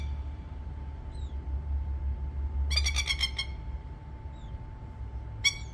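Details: In Australia, a baby plover ignores its mother: a quick burst of sharp, harsh repeated notes and one later loud note, with soft chirps between, over low rumbling and a steady hum.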